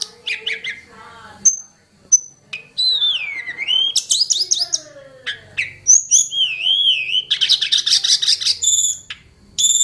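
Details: Wild mountain-forest Hill blue flycatcher, its song rich in varied phrases: wavering whistles that dip and rise, thin high notes, a fast rattling trill and scattered chips.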